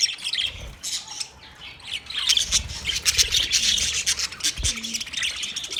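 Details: Budgerigars chirping, sounds meant for a lonely pet bird: dense, scratchy high chatter with quick warbled notes, building louder from midway, with a few low thumps underneath.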